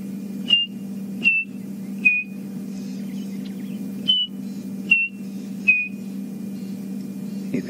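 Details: Chinspot batis (Batis molitor) calling around midday on a game drive on 24 May 2015: clear, high, slightly falling whistled notes repeated about every 0.8 seconds over a steady low vehicle engine hum.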